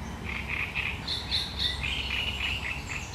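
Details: Sharp, chattering song of a great reed warbler, 1 July 2020: loud, harsh grating notes in fast repeated pairs and triplets, alternating lower and higher pitches, steady throughout against faint low rumble.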